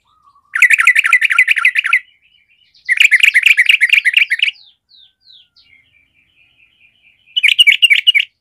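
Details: Sooty-headed bulbul with a combative 'garuda' voice meant to wake sluggish birds into fighting spirit: three loud, fast, chattering bursts of jumbled buzzy notes, separated by quiet, thin, sliding whistles.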